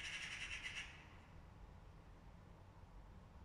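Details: Agitated magpie giving one short, grating chatter of quick rough notes lasting under a second, followed by quiet low rumble.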